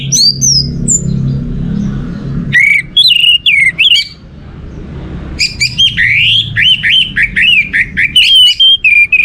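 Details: Orange-headed thrush song meant to get other birds singing: a long, varied stream of whistles, slurred upsweeps and warbles with rapid mimicry-like changes, interrupted briefly by a quiet pause.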